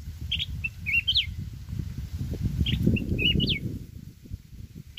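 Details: Mountain red-whiskered bulbul singing in the 'forest voice' style used to stir up decoy birds. Two short, bright warbled phrases about two seconds apart, each ending in a rising-falling whistle, over a steady low rumble.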